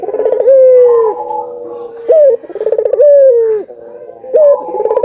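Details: Vigorous gacor calling of collared doves, some albino, used to prompt other doves to sing: long, steady, slightly descending coos alternate with throaty rolling trills, and several birds overlap.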